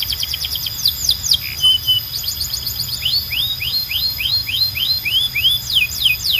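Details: Belgian canary song, said to call other canaries to sing: quick chirps and a short flat note, then a long series of rising slurred whistles repeated steadily, closing with sharp down-sweeps; low hum beneath.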